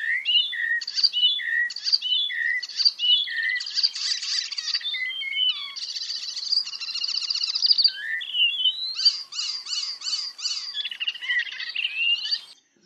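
An Icterine Warbler sings a fast, varied stream of repeated two-syllable phrases, squeaky and buzzy notes with an almost electronic, artificial quality.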